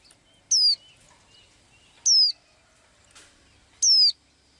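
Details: Small blue-eyed bird that sings every day: a clear high whistled note sliding downward, repeated three times about every one and a half seconds, with faint softer chirps between.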